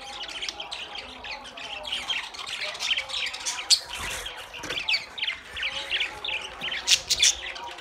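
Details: Budgerigars chattering together: a dense stream of short, scratchy, warbling chirps and squawks, with sharper high notes near the seventh second.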